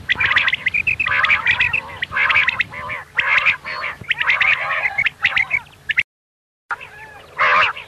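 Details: Dense run of nasal, meow-like common quail calls, the 'miankan' sound for night hunting, overlapping notes with a brief silent gap near the end and a steady hum underneath.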